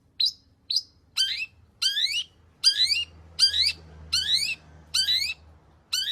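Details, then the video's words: Cendet, a long-tailed shrike, singing learned material to encourage other shrikes: repeated harsh descending slurred phrases with layered overtones, one roughly every 0.6 seconds, after two short high notes. "burung cendet gacor FULL ISIAN pancingan Cendet AGAR BUNYI Cendet Bongkar Materi"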